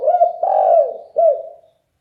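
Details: Deep-voiced, loud spotted dove cooing a single phrase: a short hollow note, a long rolling coo, then a final dipping coo, close and clear.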